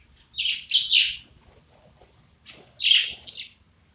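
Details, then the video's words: A happy budgerigar kept as a pet gives two short bursts of high, scratchy warbling chirps about two seconds apart, with near silence between them. "My super duper unique parakeet singing"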